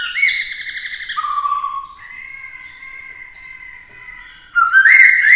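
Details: Black-throated laughingthrush singing to provoke rivals, with a female close by to fire up the male, in a varied many-voiced song: loud rising whistles, then a long steady whistled note, ending in bright sharp chirps.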